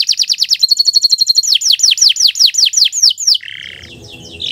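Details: Tutor recording of a canary in long, continuous song: rapid high sweeping notes, a steady rolling trill, slower descending whistles, then a buzzy lower phrase fading into faint rustling.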